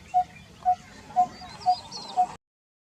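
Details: Coppersmith barbet repeating a single low, knocking note five times at an even pace of roughly two per second before the sound cuts off abruptly, with faint distant twittering behind.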